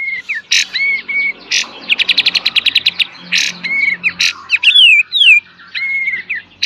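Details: Kapas tembak in a training master song for cage birds, full beset and tembak: whistled slurs and bursts, a fast rattle of about fourteen notes, then high falling whistles and more bursts.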